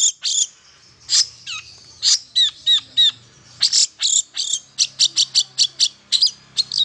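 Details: Long-tailed shrike singing, played to encourage silent shrikes: loud rasping high notes mixed with curved whistled slurs, ending in a steady rapid series of sharp chips.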